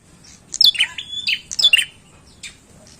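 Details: Bar-winged prinia singing energetically: two loud bursts of sharp, high, down-slurred chips, each followed by a short buzzy note, then a fainter chip near the end over quiet background hiss.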